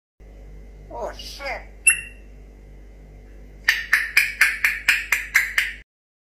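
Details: An African grey parrot says "Oh sh*t" as a short speech-like phrase with a bright whistle, then a quick run of about nine harsh, clicking squawks.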